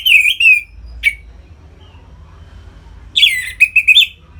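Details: Captive Orange-headed thrush in ngeplong song, meant to excite birds into breeding readiness; a slurred whistle and a sharp note, a silent gap over low hum, then a fast, rich phrase of twanging and warbled whistles.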